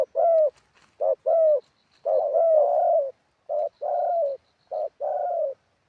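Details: Decoy spotted dove from Thailand in wild-style song. Short-then-long coo pairs come less evenly here, with a run of overlapping, drawn-out coos in the middle. Light chirping sits faintly above.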